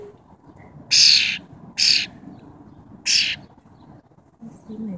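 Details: Three rough, breathy bursts from a tame wild cowbird, the first two close together and the third after a longer gap, over a steady low background hum.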